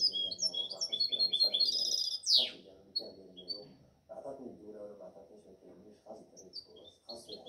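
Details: Seven-month-old goldfinch hybrid from 2019–2020, singing a quick run of high twittering, trilled notes for about two seconds before breaking off into a few scattered chirps, with people talking indoors throughout.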